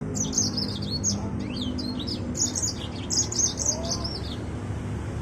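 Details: Yellow-fronted canary, called Mozambique finch from Africa, sings fast high chirping phrases with short downslurred notes. The phrases repeat in quick bursts over a steady low rumble of background noise.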